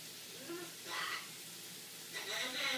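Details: Male blue-and-gold macaw talking in the shower, saying phrases like "we'll see you later" and "shake it": two short, raspy, breathy speech-like bursts over the steady hiss of running water.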